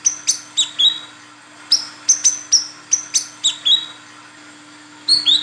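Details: Female olive-backed sunbird (Cinnyris jugularis) calling the male, used as a lure: sharp, high chips in quick pairs and triplets with short pauses between bursts, over a faint steady electrical hum.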